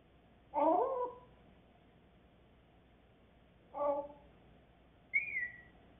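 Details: A grey parrot that is learning to talk gives two short, voice-like utterances several seconds apart, then a clear, slightly falling whistle, in an otherwise quiet room.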